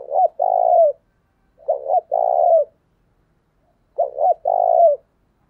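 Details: Three full cooing phrases from a decoy spotted dove used to lure wild doves: a pair of short hollow notes, then a long, steady, mellow coo, spaced about two seconds apart in quiet surroundings.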